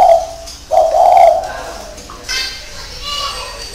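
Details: Spotted dove cooing: two low, hollow coos, the second longer and slightly wavering, followed by quieter mixed sounds with faint higher chirps near the end.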